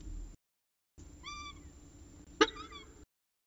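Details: Peregrine falcon at the CSU Orange nest, 6:54 pm on 14 October 2019, with the day's last prey: two drawn-out, slightly falling whining notes, the second following a loud sharp knock.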